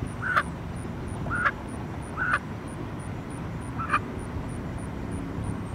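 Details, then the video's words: A distressed young goose separated from its family on 24 July 2014 gives four short, strained honking cries about a second apart, over a low traffic rumble and a fast, high ticking in the background. "Panicking Young Goose"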